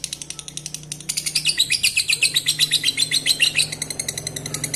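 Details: Lovebird singing to stimulate breeding: rapid, loud, high twittering chatter with pulsing notes several per second, growing stronger after the first second, with a low hum behind.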